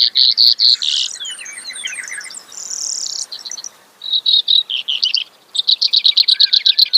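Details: Varied song from a Brewer's sparrow, with loud repeated notes, descending slurred whistles and a buzzy trill, then a short silence before a fresh run of rapid clipped notes.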